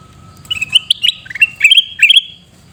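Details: Sooty-headed bulbul from Reului in Pidie, Aceh, calling a lively run of about ten bright, chattering, liquid notes in quick uneven bursts, with a faint steady tone in the background.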